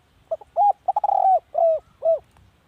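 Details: Decoy spotted dove cooing: short clipped notes lead into a rolled, stuttering coo, followed by three separate drawn-out mellow coos that each rise and fall, low-pitched and clear against a quiet background.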